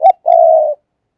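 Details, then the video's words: A single phrase from a spotted dove kept as a decoy and calling to lure others: a brief clipped note, a short pause, then a level, sustained mellow coo lasting about half a second. "cu moi/ tiếng cu mồi"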